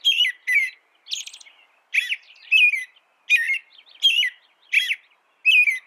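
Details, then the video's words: American robin singing a series of short, clear, warbled phrases that dip and rise, each about a third of a second long. Breathy, higher squeaky notes come in between, and the pauses are separated by silence. "American Robin Bird Sound, Bird Song, Bird Call, Bird Calling, Chirps"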